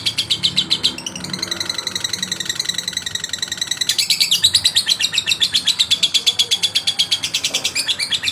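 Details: Male lovebird song meant to stir rivals: shrill, rapidly repeated chatter notes that pause briefly, then return louder and denser in a long even rattling series.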